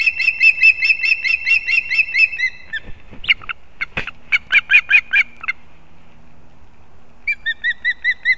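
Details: Osprey chicks competing at a nest in Kurzeme, Latvia, 11-9-24. Fast whistled chirps give way to rough, harsh bursts and rustling. After a pause, a short chirping series returns.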